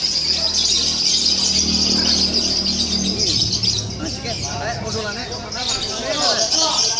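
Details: Fighter lovebird giving steady, high, rapid chattering, with a man's voice talking underneath at times.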